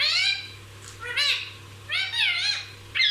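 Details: Pet parrot, said to talk nonstop and say everything, giving harsh, nasal, speech-like calls in three bursts with wavering, rising and falling harmonics, separated by short pauses over a steady low hum.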